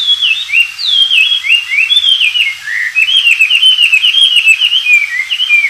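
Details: Oriental magpie-robin singing freely in the wild, kept as tutor material for white-rumped shamas: continuous, varied, sweet whistled phrases with quick up-and-down slurs and trills, loud and close throughout, with no other clear sounds.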